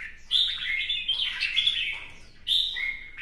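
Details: Red-whiskered bulbul in fresh plumage singing in competition while dancing and fanning its feathers: two bright, warbled whistled phrases, the first long and wavering, the second short and rising, separated by a quieter gap.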